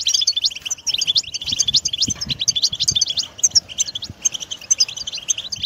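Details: Song of a European goldfinch, used to encourage a pet bird to sing: dense, rapid high twitters and tinkling trills run on steadily, with a few brief gaps and soft low thumps in the background.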